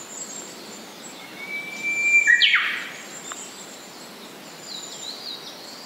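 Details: Japanese paradise flycatcher song: a steady, thin whistle leading straight into a rasping, buzzy burst, then quiet, with faint high-pitched calls of other birds in the background.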